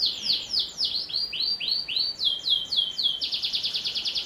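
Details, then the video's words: Canary song used as a lure to prompt young canaries to sing: repeated downward-sweeping whistled notes in fast series, shifting into a rapid buzzy trill of even pulses near the end. "Suara Kenari Gacor, Pas untuk Pancingan Kenari Paud"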